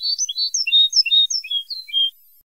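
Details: European goldfinch song in the old Moroccan Ceuta tape style, used for teaching goldfinches. Clear, high, liquid notes and quick slurred chirps, some longer and rising, follow one another for about two seconds before fading to quiet.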